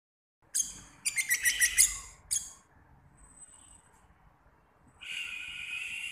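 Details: An Orange-headed Thrush, a young bird just moulted into adult plumage, sings a quick run of bright, varied, high notes for about two seconds, then a thin high whistle and a steady hissing buzz.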